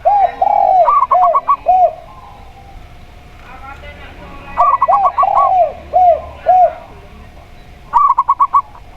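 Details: Local zebra dove heard with a spotted dove giving steady double notes: lower arched coos alternate with quick bursts of high clipped notes. The sequence recurs three times, with a faint murmur in the background.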